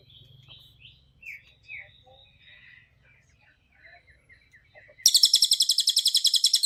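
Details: Soft scattered chirps and faint chatter open the passage, then a cililin bursts into its dense, fast trill of sharp repeated high notes. Recording made for training other birds.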